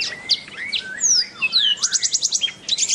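A black-throated canary sings a fast, varied song of high, thin whistles and slurred sweeps, then a run of quick, evenly spaced buzzy trill notes.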